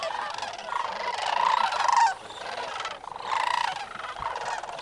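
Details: Sandhill cranes calling early morning at the North Crane Pool, Bosque del Apache NWR, November 27, 2009: a dense chorus of rolling, trumpeting calls from many birds rising and falling in waves.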